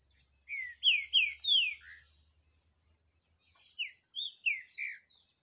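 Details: Singing contest of a green-winged saltator against one living wild in the bush, 2023: rich downward-sliding whistles in a quick run of five, then a softer run of four, over a continuous high cicada-like hum.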